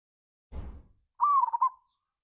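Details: Local zebra dove lure song in the ngayer kerot nutut style, meant to excite other doves into singing: a single soft, rolling coo phrase with a trill, preceded by a brief dull thump.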